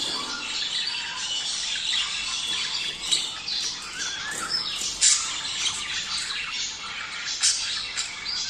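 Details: Budgerigars calling to encourage males and females to breed: a dense, continuous mass of high, scratchy chirps and squawks, with sharper peaks near three, five and seven and a half seconds.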